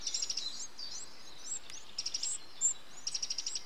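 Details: Eurasian wren adult feeding nestlings, 8 June 2013; soft high twittering notes with short rapid buzzy rattles repeated at intervals, over a steady background hiss.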